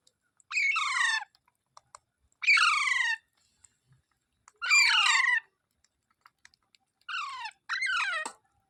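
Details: Parrot giving loud, raspy squawks, each about half a second long and falling in pitch, repeated roughly every two seconds with faint clicks between.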